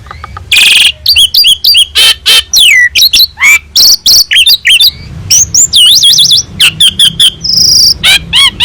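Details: Asian pied starling in full, active song, a master recording meant to tutor other birds: a rapid run of bright whistled upslurs and downslurs mixed with harsh, broadband rasps, delivered in short bursts with brief gaps.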